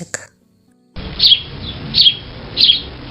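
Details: A sparrow in winter gives three bright, high chirps, spaced under a second apart, over a faint hiss, after a brief voice at the start.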